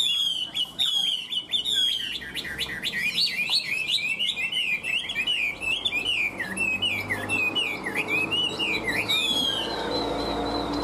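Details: Chinese hwamei singing nonstop: a loud, fast stream of varied whistled notes, sliding up and down and looping, with rapid chirps at the start and a few held whistles near the end.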